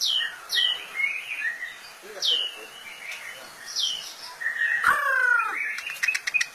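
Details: White-rumped shama song: clear whistled phrases with sharp descending slurs, short warbled notes and a rich falling note near the end, followed by a burst of quick high ticks.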